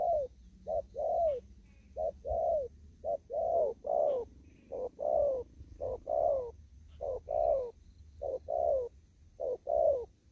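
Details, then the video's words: Spotted dove out in an upland field, Kon Tum, cooing rapidly 'thúc gù': a clipped note and a rounded downslurred coo repeated about ten times at a brisk, regular rhythm, quiet low background. "Cu Gáy. Đồng thúc gù."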